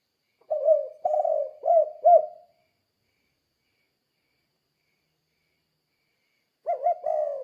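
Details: Spotted dove singing in the 'kuk 2' style to train other doves: one four-coo phrase of low, hollow notes, a long silence, then another phrase beginning.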